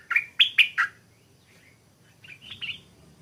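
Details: Caged stripe-throated bulbul newly taken from the wild, starting to sing with a doubled phrase but not yet at full voice: four loud, short, sharp whistled notes in quick succession, a pause, then softer slurred warbled notes.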